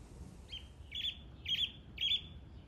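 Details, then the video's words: A bird sings a short, clear phrase of four similar high chirped notes, evenly spaced about half a second apart, each a little louder than the one before, over a soft low rumble of background noise. "The bird is singing."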